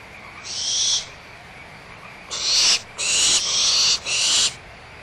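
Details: Barn owls at Audubon Starr Ranch Sanctuary give harsh, hissing screeches, one burst then three more in quick succession, each about half a second long. Owlets squabble over leftover food, excited, with the mother nearby and frogs calling.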